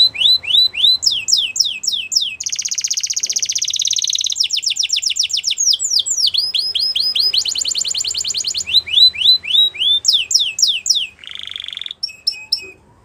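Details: Belgian canary singing a long varied song: rapid trains of rising whistled notes alternate with fast buzzy trills and rattles, all high-pitched, with brief pauses between phrases.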